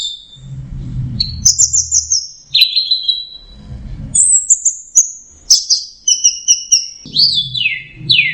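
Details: Orange-headed thrush (anis merah) in teler song: bursts of high trilled and whistled phrases, including sweeping falling notes, alternating with stretches of low rumbling background noise.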